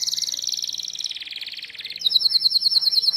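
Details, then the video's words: Canary song for tutoring young canaries: a dense, fast rattling trill that slows and drops, then switches to a bright, crisp rapid roll of repeated notes. "PANCINGAN Kenari GACOR PANJANG Cuit Cuit EMOSI‼️ MASTERAN Kenari PAUD belajar BUNYI"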